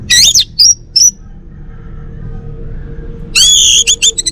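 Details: Male orange-headed thrush, Bali type, kept as a home bird, sings a wavering high whistled phrase and two brief clear notes, then after a pause a loud dense burst of doubled rising tones and quick chips.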